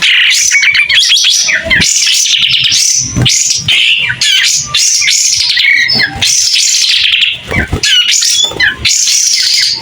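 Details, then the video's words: White-rumped shama in full, clear song with its tail spread, delivering a dense medley of piercing whistles, buzzy chatters and sweeping slurs almost without a break for ten seconds. "Kapas tembak gacor buka ekor.. SUARA JERNIH"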